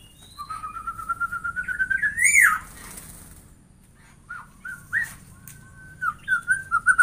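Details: White-rumped shama song: a long run of quick, evenly spaced whistled notes that climb slowly, then a loud rising sweep. After a pause come short slurred whistles and a final string of clear notes. Low background hum.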